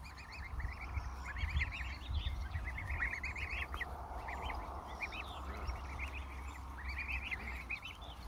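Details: In spring, on a local lake where a greylag goose pair raises 12 goslings, the goslings give a steady chorus of thin, high, rising peeps, many overlapping, over a low rumble of wind and water.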